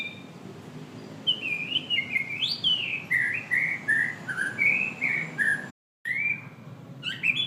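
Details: White-rumped shama singing a run of clear whistled phrases that rise and fall in short slurred notes, about one each half second, before a brief dropout and a final whistled note.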